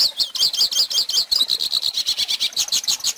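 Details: Pintassilgo (Hooded Siskin) song used to teach young birds to sing: a rapid, continuous high twitter of short trilled notes, about nine pulses a second, with slight shifts in pitch and no other sounds.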